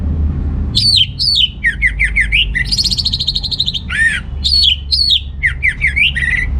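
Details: Song of an orange-headed thrush meant to rouse under-motivated males into breeding condition: bright looping whistles alternate with rapid chattering notes and a sustained buzzy phrase, over a low hum.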